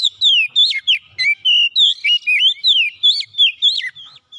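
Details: Oriental magpie-robin (kacer) singing energetically, seeking an opponent; rhythmic series of loud whistled notes with sharp upward and downward slurs, about three per second.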